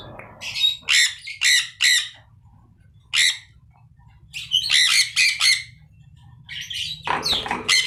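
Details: Aviary budgerigars calling while playing and feeding: short bursts of two or three scratchy chirps separated by quiet gaps, with a denser overlapping flurry near the end.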